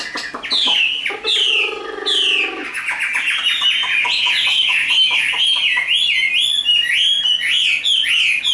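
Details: Chinese hwamei offered for sale, beginning with harsh buzzy rasps, then a rapid, steady sequence of bright whistled upslurs and trills.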